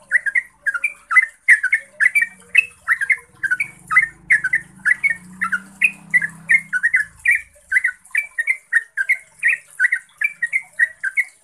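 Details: Extended yellow-vented bulbul song used to lure and train caged bulbuls: a continuous stream of bubbling, slurred notes at a brisk, even pace, with a low hum in the background midway.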